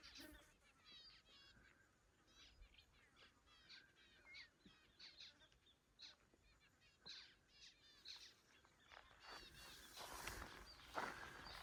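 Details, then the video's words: Zebra finches give many short, nasal, toy-trumpet beeps in a loose, busy chatter near Bond Gap, West MacDonnell National Park, near Alice Springs, on a hot December summer day; a buzzing hum of flies grows louder toward the end. "Hopefully you can hear the zebra finches over the flies."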